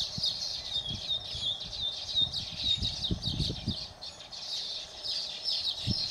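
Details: Baya weavers at Phaltan in Maharashtra's Satara district, India, keep up high, scratchy chattering with occasional thin squeaks, while low thumps and rustling knocks sound intermittently underneath.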